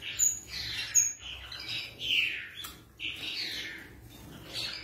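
Masked finch giving high, thin chirps and short buzzy phrases in uneven bursts about once a second, with a brief sharp whistle near the start.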